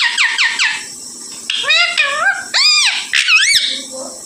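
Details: Parrot vocalizing in a small room: three quick descending whistles, then loud arched, voice-like syllables with rising and falling pitch, spaced about half a second apart.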